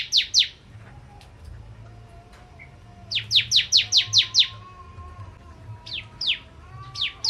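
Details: Lively bar-winged prinia song meant to provoke crystal ciblek birds: bursts of sharp downslurred high chirps in fast runs of two to seven, separated by pauses, with faint thin whistles and low hum in between.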